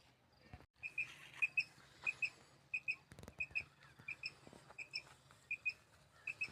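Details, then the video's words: Common quail (batair) call of the kind used for quail hunting and netting in Potohar, Punjab, Pakistan: short, high, clipped notes, mostly in quick pairs, repeated steadily about every half second over a faint low hum. "batair ki awaz batair Madi ki awaz"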